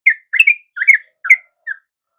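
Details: Sooty-headed bulbul at dawn, a bird that had stopped singing swooping in and joining a same-species lure call: five short, bright whistled notes, some doubled, each falling slightly, spaced about every 0.4 seconds, then silence. Clean background.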